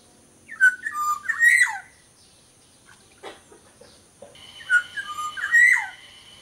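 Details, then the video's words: Sumbawa black-naped oriole giving two fluty whistled phrases about four seconds apart. Each phrase is made of short slurred notes dipping and rising, ending on a louder mellow whistle. Soft clicks between phrases, constant high-pitched hum behind. "suara burung kepodang sumbawa GACOR DOR"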